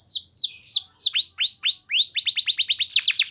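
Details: Canary song meant to make other canaries sing: slow falling whistled sweeps, deeper swooping notes, then a quickening trill of repeated downslurred notes.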